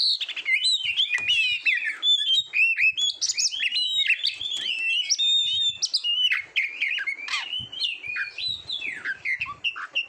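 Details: Oriental magpie-robin (kacer) training song for contest birds: busy, high-pitched twittering of rapid chirps, slurred whistles and trills running almost nonstop.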